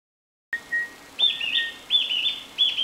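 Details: Narcissus flycatcher singing near the outskirts of a city in Tokushima Prefecture, Japan: a soft whistled note, then three clear warbled phrases of rolling, bouncing high whistles about every two-thirds of a second.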